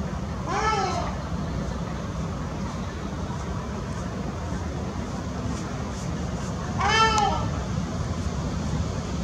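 Two nasal, honking calls from a Ruddy Shelduck, about six seconds apart, each a short rich bray, over steady low rumbling background noise.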